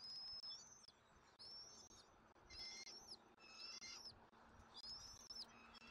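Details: Bald eagles at their nest in Southwest Florida on 13 January 2024 as an eaglet is fed dinner. Faint, high, thin chittering notes with slurred upward inflections repeat roughly once a second over a constant low hum.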